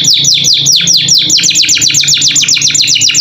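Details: Caged canary in full, lively training song for pet birds: quick, bright downslurred whistles repeated about two or three times a second in a steady, rolling series.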